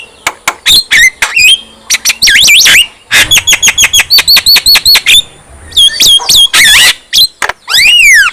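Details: Javan myna chatter used to provoke rival mynas: sharp chirps, a dense run of short whistled notes repeated evenly, squawky bursts, and a final descending whistle, in a quiet setting.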